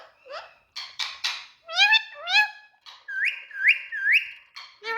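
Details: Pet Indian ringneck parrot calling indoors: a varied string of whistled, harmonic notes, some short and falling, others sliding upward, then three rising whistles on a level tone followed by a few short squawks.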